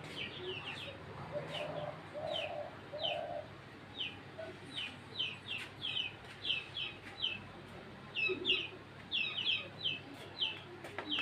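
A dove gives a short run of low, soft coos early on, nearly buried under constant busy high chirping from small birds throughout.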